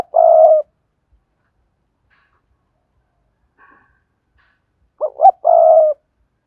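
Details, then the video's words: Spotted dove lure recording: a long low coo at the start, a quiet pause with faint soft notes, then two quick rising hoots and another drawn-out coo. "Tiếng cu gáy cườm sa thúc + gù + gáy gọi kích bổi hiệu quả"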